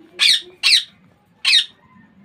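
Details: Baby Indian ringneck parakeet giving three harsh, raspy squawks, two close together and a third after a short pause, in a quiet indoor setting.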